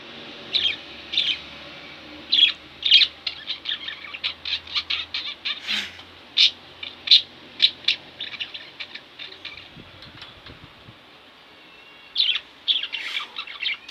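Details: Two caged pet budgerigars chattering over fourteen seconds: irregular scratchy chirps and short sharp squeaks, a quieter stretch around the middle with a faint low knock, then a fresh burst of chirping.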